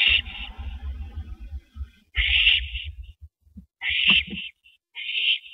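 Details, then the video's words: Owls at a nest, 19 April 2012, 8:15 PM, during a rabbit delivery to a mate. Raspy screeches come in pairs over a steady low rumbling and shuffling noise. "Rabbit Delivery #251!"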